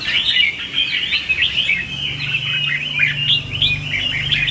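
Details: Red-whiskered bulbul song used as a lure for trapping and training birds in competitive singing: a continuous stream of rapid, chattering warbled phrases over steady low hum and hiss.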